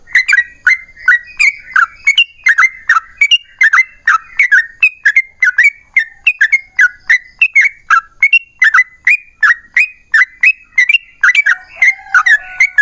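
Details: Yellow-vented bulbul giving an extended rapid song, played to make other bulbuls sing. A steady, unbroken stream of chirpy, warbling notes runs for nearly thirteen seconds, evenly paced, with a faint lower whistle near the end.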